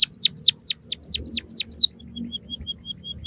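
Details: Captive-bird mastering recording of a white-headed munia: quick, evenly spaced falling whistled notes, about eight in under two seconds, then a faint thin high tone that stutters on for a while.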